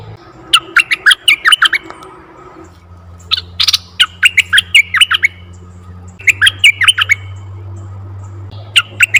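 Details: Red-eyed bulbul of the forest, played as a lure for bulbuls: bubbly, liquid phrases of rapid slurred notes in three bursts separated by short gaps, over a steady low droning hum.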